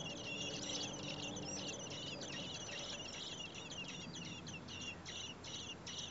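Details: Four common blackbird nestlings begging in a nest near a home as the parents bring food, in heat above 30 °C; dense, continuous high, squeaky chatter with repeated short notes over a steady low hum.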